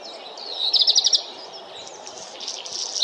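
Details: Black redstart (Phoenicurus ochruros) delivers a bright burst of about six sharp, high repeated notes, followed by quieter scratchy twittering and faint background bird calls.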